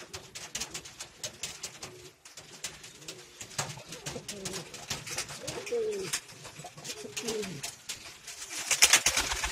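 Low, soft pigeon coos rise and fall in a few rolling phrases midway through, over a steady patter of sharp clicks and tapping.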